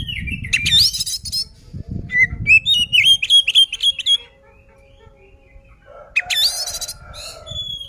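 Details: Oriental magpie-robin singing to provoke rival birds into fighting: clear, high whistled phrases and rapid repeated notes in a lively run, then a pause before a burst of sharp, scratchy notes. A low rumbling background is heard at times.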